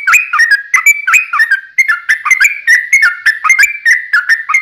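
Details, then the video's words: Sooty-headed bulbul in long rapid song used to provoke other birds into singing: dense, liquid whistled phrases tumbling one after another, with pitch swinging up and down in quick succession. "trucukan ropel panjang TARUNG PANCINGAN TRUCUKAN agar bunyi"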